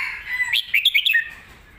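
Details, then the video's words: A Red-whiskered bulbul kept in a cage sings one fast, full song phrase of clear, quickly alternating whistled notes, rising then dropping at the close, used as a model for teaching young birds. "สำนวนครบเครื่อง"ร้องดี ปากไว(ไว้สอนลูกนก)"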